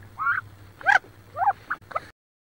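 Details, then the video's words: Wood duck hen in a nest box near Richland, Washington, sitting on about 18 eggs, during a squabble: four or five short squealing, wavering calls over a low hum, ending abruptly. "Another Hen Squabble"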